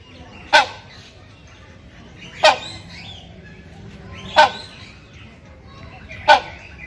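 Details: Breeding male Buceros hornbill calling to its mate: four loud, raucous honks repeated steadily every two seconds, each abrupt and brief, with soft background murmur between calls.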